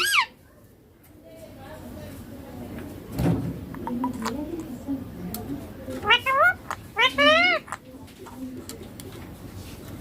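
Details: Baby Indian ringneck parakeet talking, copying words like papa and mummy; quiet start, then a burst of rapid, wavering harmonic syllables toward the end, with faint indoor background sounds.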